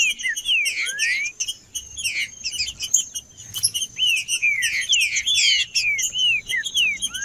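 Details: Male green-winged saltator singing to warm up other birds: clear, slurred whistles, many falling or arching, in quick runs amid busy high chirping, with a steady thin high tone throughout.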